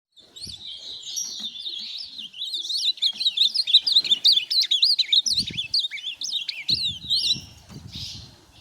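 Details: Ultramarine grosbeak (azulão), a tournament-type bird, singing a fast, rich warbled phrase of sliding, looping high notes lasting several seconds, followed by a few soft low thumps and quieter background.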